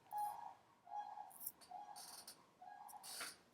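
Sandhill Cranes trumpeting in the distance: rolling, mid-pitched notes about a second apart, with a man's speech and short hissy sounds over them.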